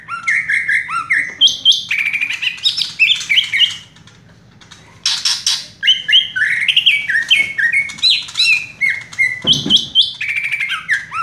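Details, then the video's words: A Greater Green Leafbird (cucak ijo), a caged bird kept for song, pours out a fast, varied run of loud whistles and chattering phrases, pausing briefly midway; a soft knock is heard near the end. "cucak ijo " raja tembak ""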